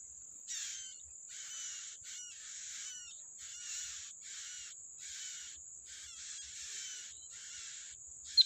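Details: Yellow-bellied prinia feeding its young in the wild: harsh, raspy noisy bursts with faint whistled overtones, repeated about twice a second in a steady series, with a thin high steady insect-like hiss behind.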